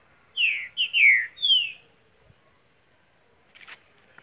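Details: Green-winged saltator (trinca-ferro), Mar de Espanha, Minas Gerais, Brazil, giving a single rich whistled phrase of four falling slurred notes, then quiet with a brief soft rustle.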